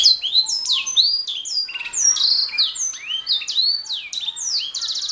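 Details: Canary in lively gacor song recorded as a training master for songbirds: fluid high whistled slurs, quick rattles and rising sweeps, closing with a rapid pulsed trill.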